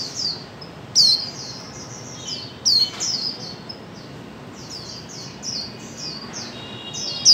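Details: Female white-eye voice used to coax silent birds into song: high, thin chirps in rapid series, punctuated by loud sharp descending calls near the start, middle and end, over low steady hiss.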